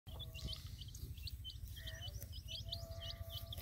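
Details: Colored baby chicks with a hen in a field peep in short, high, downslurred notes, many overlapping at an uneven pace, over a steady low rumble and a faint hum.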